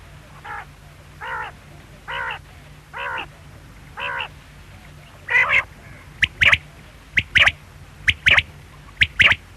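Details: Quail giving a run of nasal, reedy notes spaced about a second apart, then switching to loud crisp triplets of one short note and a fast double note, repeated about every second against a low background hum.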